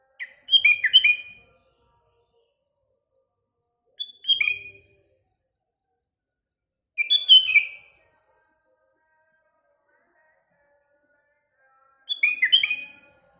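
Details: Sooty-headed bulbul in morning song, surrounding birds nearby: four brief gurgling whistled phrases spaced roughly three to five seconds apart, each a quick cluster of clear notes.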